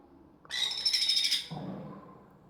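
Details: A hand-fed sun conure chick gives a harsh, buzzy, high-pitched begging screech lasting about a second during feeding, followed by low handling noise.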